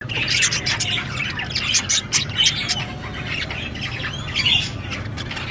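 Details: Budgerigars chirping: dense, overlapping chatter of short squawks and warbled notes with a few rising whistled slurs, over a steady low hum.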